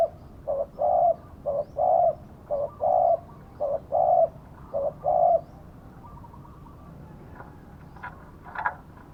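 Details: Spotted dove used as a decoy for wild doves; a quick series of low coos, short and long notes alternating, for about five seconds, then quiet with faint clicks and rustles.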